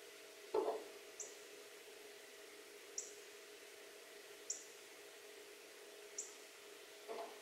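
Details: A male Northern Cardinal eating sunflower seeds at a transparent window feeder gives four sharp, high chips, one every second and a half, with soft knocks and a low steady hum beneath.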